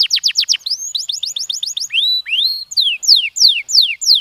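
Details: Canary stimulating song made of varied phrases: a few falling notes, a quick run of hooked syllables, rising slurred whistles, then evenly spaced loud descending whistles about three per second.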